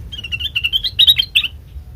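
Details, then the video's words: Sooty-headed bulbul sound used as a lure to draw other birds to answer: a quick run of sharp, chattering notes, rising slightly and then breaking into louder clipped chips over about two seconds, with a low hum beneath. "Suara khas Pancingan Kutilang Bahan,Cukup 1Menit Nyaut"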